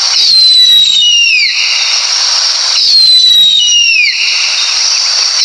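Harpy eagle giving two high, thin, drawn-out wails that slide downward, about three seconds apart, over a constant hiss.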